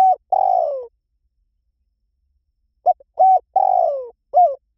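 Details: A dove gives two phrases, each made of short clipped hoots and then a longer mellow coo that slides downward. The recording is clean, with long silent gaps between the phrases.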